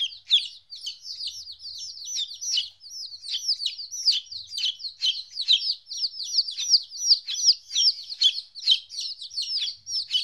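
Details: A flock of two-week-old chicks, apart from their mother for the first time, chirps nonstop: piercing, downward-sweeping peeps repeated rapidly and overlapping into a steady, busy twitter.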